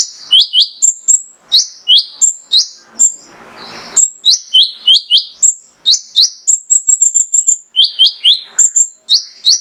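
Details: Singing male mangrove whistler, played to provoke other songbirds into answering: fast series of sharp high whistles, falling slurs and flat piping notes repeated roughly three times a second, broken once by a brief rustling noise.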